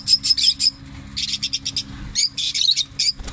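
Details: A parrot gives clipped, shrill squeaks in small clusters, a few thin whistled notes among them, broken by short quiet gaps over a low background hum.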